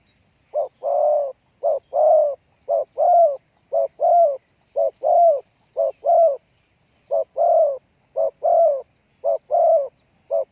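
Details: Decoy spotted dove calling to draw in wild doves, a steady run of paired coos, each short note followed by a longer, slightly falling one, about once a second for ten seconds in a quiet setting.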